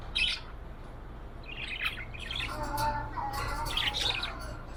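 A budgerigar chirps and warbles in quick, bright, scratchy bursts over a faint low hum.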